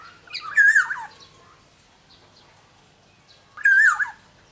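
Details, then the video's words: Black-naped oriole (Sumbawa kepodang), a caged songbird in full voice, gives two mellow liquid whistled phrases, each a quick warbling loop falling away at the end, about three seconds apart against a quiet background. "suara burung kepodang sumbawa GACOR DOR"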